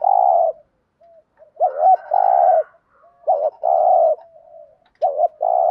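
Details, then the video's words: ["Spotted dove in rapid 'thúc gù' decoy cooing to draw in wild doves: four buzzy sustained coos in close succession, most preceded by a short looped double note, with soft notes between."] "tieng chim cu gáy thúc gù"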